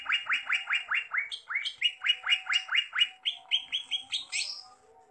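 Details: Greater green leafbird in gacor singing, a rapid series of sweeping downslurred notes repeated about twice a second, then shifting to higher rising phrases and fading at the end.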